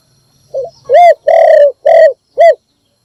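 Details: Single morning phrase from a decoy spotted dove meant to attract other birds: a soft rising lead note, then four resonant coos, the second noticeably longer, over a faint low rumble.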